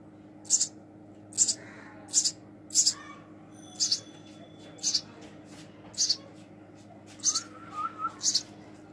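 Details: Baby house sparrow being hand-fed, giving loud, shrill, high chirps about once a second, with a brief whistled note in the background.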